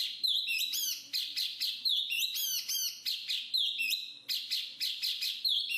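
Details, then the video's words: Jongkangan, the black-capped babbler, in lively song. Sharp, high, slurred whistles and chirps are packed closely together, with quick trills among them, in bursts about four times a second. A soft low hum runs underneath. "BURUNG JONGKANGAN/Black-capped Babble"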